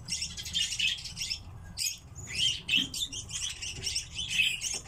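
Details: Captive common redpolls calling in bursts of quick, high, dry twitters and short chirps, loud clusters returning every second or so, over low background rumble.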